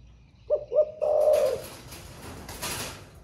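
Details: Spotted dove singing in the thổ pha voice style, said to coo all day: two short, low hollow coos followed by a longer drawn-out coo, then faint rustling.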